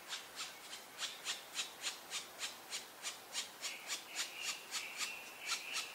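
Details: Black woodpecker, Dryocopus martius, giving a long even series of dry, scraping knocks, about four per second for six seconds; a thin whistled note from another bird comes in during the second half.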